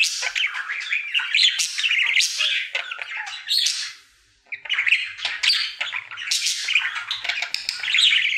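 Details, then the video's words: A happy pet male budgerigar does his daily singing routine, a fast, scratchy warbling chatter of chirps and squawks, pausing briefly midway before resuming. "Budgie singing for 1 Hour Happy song!"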